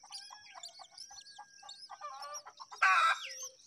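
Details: Myna birds during feeding time: quick chirps and thin whistled notes build into busy chatter, ending with a loud grating squawk and a fading whistle.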